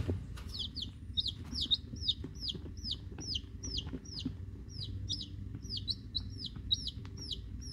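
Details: Eleven week-old domestic chicks, mostly Rhode Island Red plus Black Sumatra and one mystery chick, peeping almost nonstop: sharp, high, falling cheeps several per second, overlapping, above a low background hum.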